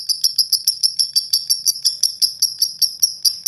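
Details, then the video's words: Lovebird giving a long, rough ngekek chatter used to provoke other lovebirds into singing: a steady, very high shrill trill of sharp pulses, about five per second, continuing unbroken throughout. "Love Bird Ngeklek Panjang Kasar !!! Pemancing Love Bird"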